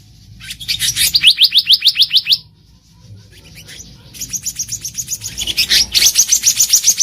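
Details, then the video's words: Black-naped monarch in the wild, a lure for trapping: a long steady series of rapid, high, downslurred notes, a short pause, then another fast run. "SUARA ASLI BURUNG KEHICAP RANTING DI ALAM LIAR EDISI KHUSUS PIKAT"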